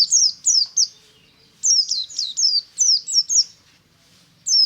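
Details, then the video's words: White-eye in ngalas style in the morning, pouring out high, sliding chirps in bursts of three or four notes separated by short pauses, with a low faint hum. "BURUNG PLECI NGALAS DI PAGI HARI"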